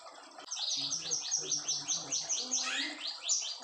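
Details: Brown fulvetta in a long, clear 'nembak panjang' song from Indonesia, used as a master recording for training white-rumped shamas: a fast series of high, downslurred whistled notes, about four per second, over a faint low hum.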